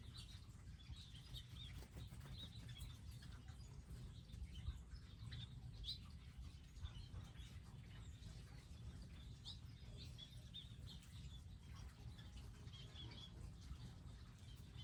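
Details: Wild birds visiting a specially designed garden area with feeders, seeds and water; many short high chirps and tweets scattered through the whole stretch over a steady low rumble.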